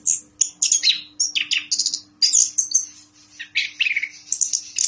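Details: Orange-headed thrush kept in a cage, once a President's Cup winner in Yogyakarta, pouring out high clear whistles mixed with buzzy, chattering phrases in bursts, over a faint constant electrical hum.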